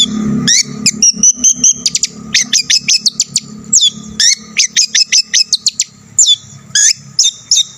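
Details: Long-tailed shrike delivering an energetic mimicry-rich song to excite other shrikes: upslurred whistles, a sustained high trill, and clipped sharp notes repeated in quick clusters.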